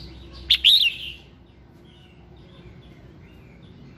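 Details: A single loud phrase of red-whiskered bulbul morning song, meant to prompt singing: a crisp click followed by a clear, bouncing whistled warble, then quiet with faint distant notes.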